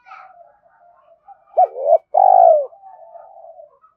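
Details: Spotted dove coo, a recording meant to stir and train decoy birds: two loud, deep, hollow coo notes in quick succession, the second drawn out and falling, framed by softer murmuring coos before and after.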